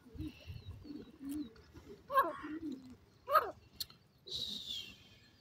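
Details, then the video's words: Pet francolin (teetar, partridge) giving two loud, harsh calls about a second apart, over steady low dove-like cooing and a few soft hissy bursts. "pet pheasant bird sound, teetar bird breeding,partridge voice"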